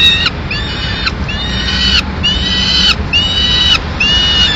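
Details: Young peregrine falcons in Madrid, 19 May 2016, as the female delivers a pigeon for them to eat; harsh, drawn-out harmonic wails that rise slightly then fall, repeated roughly once a second.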